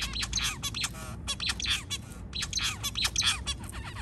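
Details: White zebra finch early in the morning gives rapid, nasal, buzzy calls and chattering notes in dense bursts, with a faint low hum beneath.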